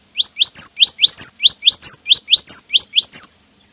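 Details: Rapid, rolling song of a cinereous tit, used to make other cinereous tits sing: about thirteen sharp rising two-part whistles delivered evenly without a break.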